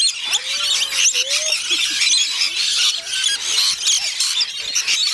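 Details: Feeding time for rainbow lorikeets at Bungalow Bay Koala Village, Magnetic Island, Queensland, Australia: continuous harsh squealing from a large flock, with a sliding whistle-like voice briefly below.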